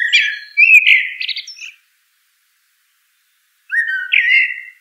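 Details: Common blackbird (Turdus merula) song: a warbled fluty phrase followed by chattering, scratchy high notes, then a two-second pause and a second smooth whistled phrase.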